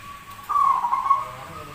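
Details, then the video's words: Rare zebra dove with an odd-sounding voice but a prolific singer gives a smooth, level coo with a slight tremble. It lasts about a second before trailing off into soft low background rumble. "PERKUTUT SUARA ANEH TAPI GACOR"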